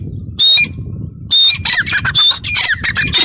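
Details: Female grey francolin (teetar) giving harsh, high squawking notes, two separate bursts followed by a quick run of overlapping rasping calls, over a steady low background hum.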